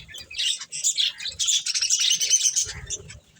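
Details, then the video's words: Eating budgerigars give a rushing stream of shrill, buzzy chirps and squawks, rising to a dense chattering peak before fading with low soft bumps. "Cute Budgies Enjoying Eating Corn | Love Birds Chirping Sounds"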